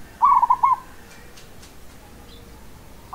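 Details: Local zebra dove giving one quick, quavering coo phrase. A quiet gap follows before the next phrase begins.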